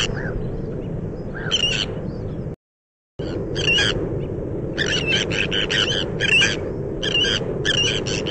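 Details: Breeding colony of Sandwich terns on Texel, the bird island: rasping, grating calls come in rapid clustered bursts, many birds together, after a brief silent gap, with constant low wind noise beneath.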